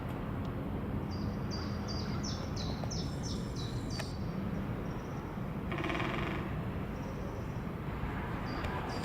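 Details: Great spotted woodpecker (Dendrocopos major) call in Leiderdorp, the Netherlands, on 8 April 2018: a quick run of sharp, high, clipped notes about three per second, then a few more near the end, over steady low traffic rumble.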